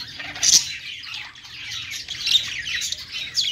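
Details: Singing budgies on a perch give a bright, thin stream of twittering chirps and rapid squeaky notes, with a couple of louder sharp peeps near the start and end.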